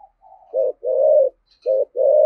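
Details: Spotted dove giving a deep thổ-voice thúc gù coo: faint soft lead-in notes, then two paired low hollow coos, each a short note followed by a longer sustained one, clear against a quiet background.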